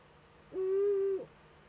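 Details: Eurasian eagle-owl at a camera-watched nest in northern Rhineland-Palatinate, Germany, 15 May 2013, during an owlet's first contact with an adult. It gives one clear, steady, mid-pitched tone held for over half a second, with faint overtones.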